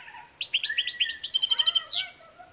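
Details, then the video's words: Goldfinch song phrase: a rapid, liquid series of high chirped notes building into a fast, glittering twitter, closing with a downward slur and lower warbled notes, with little background noise. "Saka kuşu"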